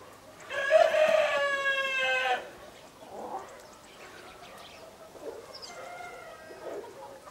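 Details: Black-blue mottled Leghorn chicken giving a loud, sustained, flat harmonic crow of nearly two seconds, followed by softer, quieter calls and clucks from the flock.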